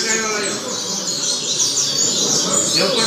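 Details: Tutor singing of a double-collared seedeater, played for young birds to learn. High, rapid, chattering notes repeat quickly in a dense stream over constant low background noise.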